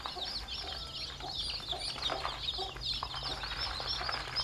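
A brood of chicks peeping together, a dense chorus of high, thin cheeps overlapping without pause.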